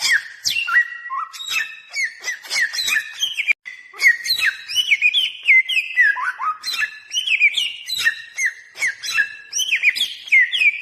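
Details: Lure song of a bare-throated whistler, used to call in birds and as a master for training: a long run of varied, ringing whistles with abrupt pitch jumps and quick slurred flourishes, with almost no pause.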